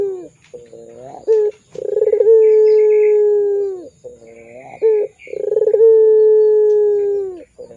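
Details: Barbary dove giving long pelung coos as a lure for young birds: low soft notes and a sharp accent precede each pulsed roll and extended steady coo, twice in succession.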